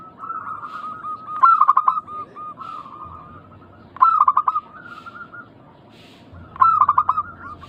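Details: Local zebra dove singing steadily, used as a lure to draw other doves into calling back. Three cooing phrases about 2.5 seconds apart, each opening with a quick stuttered burst and then trailing into a run of soft, even coos.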